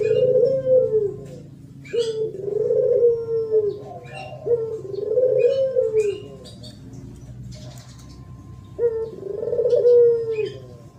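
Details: 'Thổ pháp' style song of a spotted dove, meant to provoke males and females: four rounded, gently rising-and-falling coos spaced about two to three seconds apart, with scattered faint chirps from small birds.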